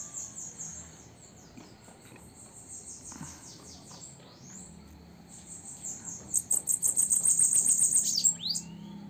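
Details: A captive female bananaquit singing at sunset gives thin, high, hissing notes, then a fast buzzy trill of rapid ticking notes near the end, over a faint low hum.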